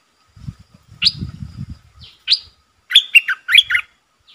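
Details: Red-eyed bulbul used as a decoy bird, calling against wild birds: two sharp rising chirps followed by a quick run of bubbly warbled notes, with low thumping handling noise early on.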